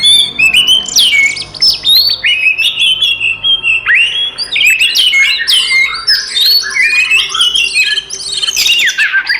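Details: Oriental magpie-robin fighting song, used to provoke other magpie-robins: varied phrases of sweet whistles and sharp chirps that start sparse, then grow denser and louder into a busy, chattering flurry.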